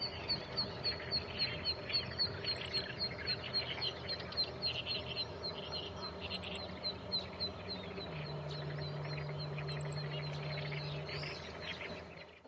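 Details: Male Meadow Bunting on a tree branch near a large irrigation canal, 28 May 2017, holding food in its bill. It gives thin, very high, sharp ground calls plus slightly higher calls, singly and in quick clusters about every second, over background noise and a low drone. A nest with waiting chicks is suspected nearby.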